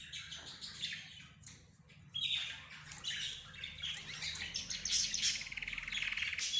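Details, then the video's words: Budgerigars, zebra finches, roz birds and canaries calling together, sounding like birds talking: busy overlapping squawks, chirps and warbles growing louder, ending in fast pulsed notes. "حديث الطيور"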